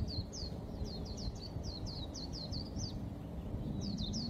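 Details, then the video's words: White-eye singing a long series of high, sharp descending chirps, repeated rapidly for about three seconds, a brief pause, then resuming, against constant low-pitched background noise. "BURUNG PLECI MANIA"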